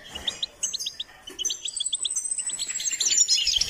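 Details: Goldfinch song used for training: a string of short, evenly pitched chipping notes gives way to thin, drawn-out high whistles overlaid with quick twitters, growing louder toward the end.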